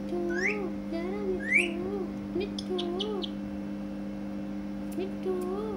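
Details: Pet Indian ringneck parakeet talking, giving short rising whistled sweeps and a run of soft arching notes repeated under a steady musical drone.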